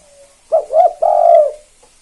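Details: KUK 2 style Spotted dove song meant to draw other doves into calling: one short phrase of a clipped coo, a wavering note and a long steady low coo, after a faint soft coo.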